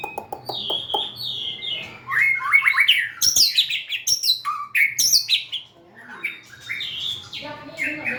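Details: White-rumped shama in full song: quick clicking notes open into varied whistled phrases, sharp upward sweeps and high squeaky flourishes, a short quieter pause near six seconds, then more warbling; faint hum throughout.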